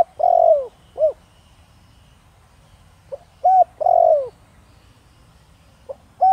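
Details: Spotted dove, 'thổ đồng' singing style, calling to attract wild doves; a long falling coo and a short one, a gap of about two seconds, then short coos rising into another long drawn-out descending coo.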